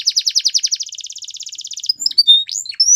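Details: Canary training song: a long rapid rolling trill for nearly two seconds, followed by scattered short whistles and upward sweeps.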